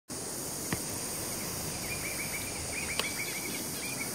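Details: A Dollarbird calling at Oxley Creek Common gives a faint series of short, harsh notes in quick succession, with steady insect hiss and broad background noise throughout.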